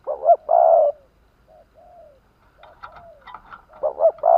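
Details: Caged Vietnamese decoy spotted dove cooing to lure wild doves: loud two-part coos, a short note then a longer rich one, at the start and end, with softer faint coos and scattered sounds between.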